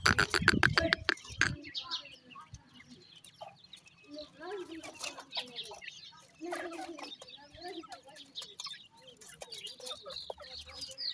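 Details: Black francolin chicks fed by hand: after a loud rustle at the start, steady high cheeping follows, short repeated chirps and slurred peeps from several young birds close together.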